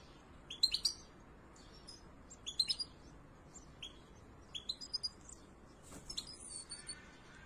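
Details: European goldfinch chicks begging in the nest while the male and female parents bring food: repeated bursts of high, sharp chirps about every two seconds, with a thinner, fainter twitter trailing at the end.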